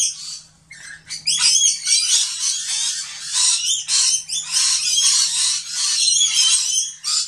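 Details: Fifty or more Rainbow lorikeets at a feeder on grevillea perches, excited and crowding back, screech harshly over one another in a shrill, rasping, almost unbroken chatter, with a low steady hum underneath.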